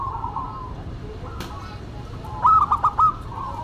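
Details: Local and cemani zebra doves in duet: faint cooing at first, then a loud burst of four quick, clipped bubbling notes near the end, over steady low background noise.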